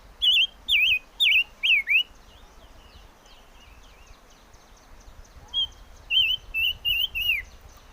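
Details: Whistled song of the chim ngũ sắc: five bright wavering notes with falling slurs, a pause of about three seconds filled by faint twittering, then another series of five quavering whistles, the final one dropping.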